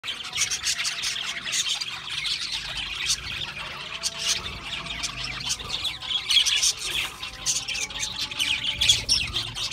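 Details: Several budgerigars eating a seed mix give dense, continuous chattering: rapid high chirps and squawky notes overlapping without pause, with faint low hum beneath.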